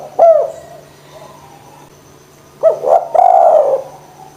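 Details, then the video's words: Lively spotted dove coo meant to draw out lazy doves: one short arched coo, quiet murmurs, then a rolling pair of hoarse coos ending in a longer drawn note, over a low hum. "DERKUKU GACOR PANCINGAN JITU ATASI DERKUKU MALES BUNYI"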